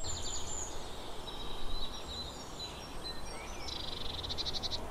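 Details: Eurasian blue tit calling: thin high notes and faint chatter lead into a clear buzzy, rattling churr near the end, over steady low background rumble and other distant bird notes.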